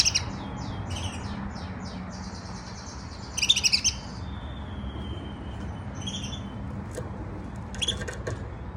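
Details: A pet canary's first singing, soft riz-khani subsong. Rapid high trills run into a sustained whistle. Two louder buzzy bursts of jumbled notes break through a low background hum, with brief whistled phrases between them.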